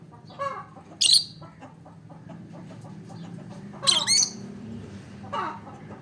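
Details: An olive peach-faced lovebird chirps with two loud, harsh, high-pitched bursts about three seconds apart, the second doubled, amid softer fast chattering notes and a faint low hum.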